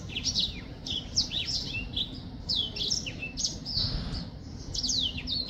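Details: Black-throated finch singing, a songbird: busy sequence of high, sharp chirps and short downslurred notes, bunched in quick bursts with brief pauses, over a low steady background hum.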